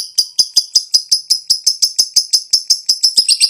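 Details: Long ngekek chatter from a fighter lovebird in high breeding condition, used as a lure: sharp, high, clicking notes repeated steadily almost three per second, growing busier and rougher near the end.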